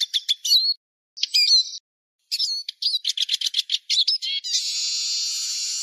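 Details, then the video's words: Eurasian siskin used as a lure: rapid high twittering notes with short whistled slurs, broken by brief pauses, ending in a long, steady, buzzy wheeze. "El Mejor Reclamo Lugano (Spinus Spinus)"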